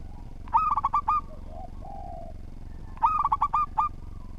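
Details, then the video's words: Well-structured song of a local zebra dove, a persistent singer. Two phrases of five or six quick, rippling coos come about two and a half seconds apart. Soft drawn-out whistles fill the gap, over a steady low droning background. "Perkutut Lokal Gacor Suara Tersusun"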